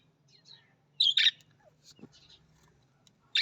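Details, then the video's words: Budgerigar, Australian parrot: a loud doubled buzzy chirp among soft twitters, then one more sharp chirp at the end over a faint low hum. "Australian Budgies parrot voice Australian parrot voice|| Budgies parrot"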